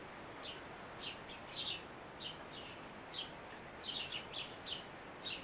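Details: Mother Eurasian blue tit at a feeding with her fledgling: busy run of high, thin chirps, some doubled or tripled in quick succession, continuing almost without pause over soft steady noise.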